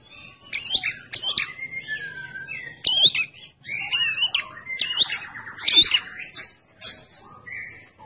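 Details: Red-headed prinia singing actively, recorded as a lure: a busy run of sharp chirps, downslurred whistles and buzzy trills, with loud clicking notes near the three-, five- and six-second marks.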